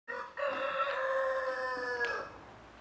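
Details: Crane giving a loud, trumpeting call: one sustained, harmonic-rich note lasting about two seconds, held level and sliding slightly lower at the end, with a short lead-in sound just before it.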